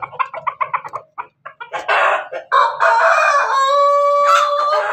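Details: Cross of Ayam Ketawa Bangkok and Pelung, Banguntapan, Yogyakarta, crowing before laying: rapid stuttering clucks speed up and swell into a long drawn-out crow that steadies into a clear, slightly nasal held note.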